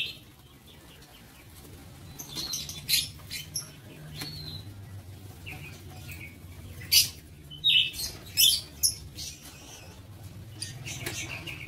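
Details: Lovebirds in a breeding aviary: sparse high chirps, then a louder run of three or four shrill squeaks in the middle, with steady low hum behind.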